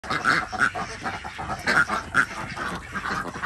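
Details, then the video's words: Desi ducks on a village farm in Andhra Pradesh, India, during morning egg collection; short nasal quacks burst out in uneven clusters, several birds calling over one another with a steady background murmur. "Collectig Duck Eggs Day 120 | Duck Egg | Desi Duck"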